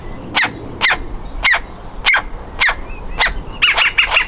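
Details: Baby woodpecker in its nest hole, ready to leave and trying to get out: sharp, short call notes repeated about twice a second, ending in a quick cluster of rapid, slightly buzzy notes.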